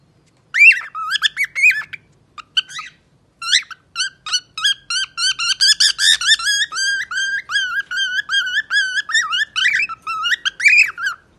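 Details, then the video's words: A pet parrot sings beautifully: a lively, tuneful whistled song of clear, rich notes swooping up and down in quick runs, several per second, with brief pauses between phrases. "Pappagallo canta bellissimo"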